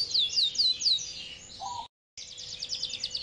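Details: A male Yorkshire canary (identified as a Belgian canary) sings long and persistently as if seeking a rival: a fast, high run of repeated down-slurred whistles, then rapid rolling trills after a brief pause.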